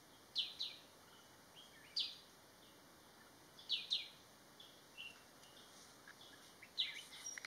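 Crested goshawk giving sharp, high-pitched notes, singly or in quick pairs, roughly every one to two seconds against a soft background hiss.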